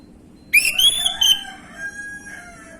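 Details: Orange-headed thrush, 'gamblingan' lure phrase: a sharp rising whistle into a ringing held note and a clipped accent, followed by a fading lower sustained tone.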